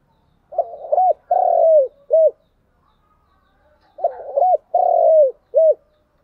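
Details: Morning lure call of a spotted dove, meant to draw wild doves close. Two matching phrases about three seconds apart, each with quick low coos, a long sustained coo and a short closing coo.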